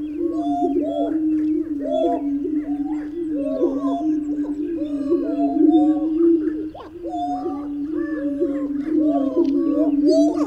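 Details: Several greater prairie-chickens call together in a continuous, low, moaning chorus. Rounded hoots rise and fall in quick repeated bursts over a constant deep hum, with a brief lull near the middle and scattered thin high chirps.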